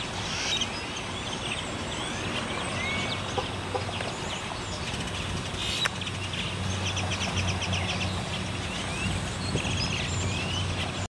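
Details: A purple martin roost in Fort Worth on 29 July 2015 gives a dense, continuous chatter of many birds: overlapping gurgling chirps and creaky notes with no pause, over a steady low rumble of city traffic.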